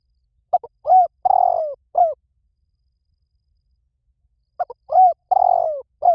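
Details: Spotted dove giving its coo phrase twice, about four seconds apart. Each phrase has short soft lead-in notes, then a longer drawn-out note that slides downward. The background is quiet.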